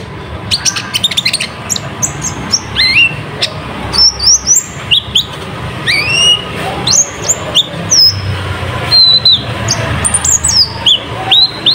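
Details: Olive-backed sunbird (kolibri ninja), a strongly singing bird used as a lure to prompt young spotted sunbirds to sing. Rapid, varied high song of thin whistles, sharp rising and falling slurs and dry ticks, delivered in quick bursts.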